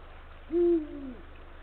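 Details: Single low hoot from a male Eurasian eagle-owl calling his mate near the nest, late afternoon, 17 February 2023: a strong level tone that drops and trails off, with faint hum behind.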